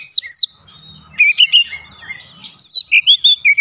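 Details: Oriental magpie-robin delivering falling whistled notes, a quiet pause, then a varied outburst and a quick string of bright, repeated whistles at the close.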